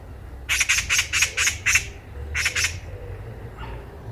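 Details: On a walk in Korea, a Eurasian magpie chatters loudly: a run of six harsh grating squawks followed by two more, then quiet outdoor background.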